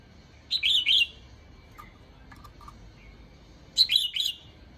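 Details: Teasing call of a female red-whiskered bulbul to excite males: two lively phrases of three to four slurred, liquid notes about three seconds apart, with faint soft clicks between.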